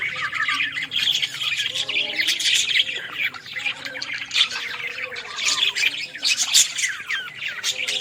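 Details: Australian parrots calling: dense overlapping high chirps and squeaky twitters, continuous and busy like a flock, with low background rumble.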